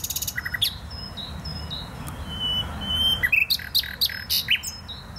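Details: Song of a nightingale in the Botanical Garden, Poznań: a fast buzzy trill opens, then soft drawn-out whistles at steady pitch, ending in loud, sharp, varied chirps and clicks.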